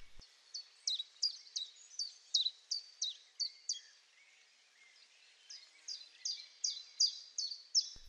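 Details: Common chiffchaff (Phylloscopus collybita) song in spring, just back from its wintering grounds: high, bright two-note chiff-chaff phrases, about three notes a second, with a brief pause before the run resumes.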